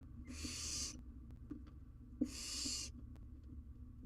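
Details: Wild barn owl owlet on a live cam, struggling to eat a huge jird it has caught. Two long, harsh, hissing screeches, each under a second, separated by about a second of quiet with small clicks and rustles.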